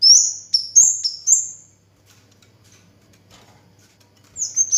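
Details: Orange-headed thrush (local names kemade, cigen) singing continuously: a quick string of high, piercing whistles stepping between two pitches, then a pause before another whistled burst begins.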